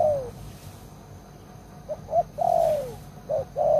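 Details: Spotted dove, an old caged lure bird used to trap wild doves, giving mellow coos: a long downward-sliding note, short clipped notes, another long falling coo, then brief coos.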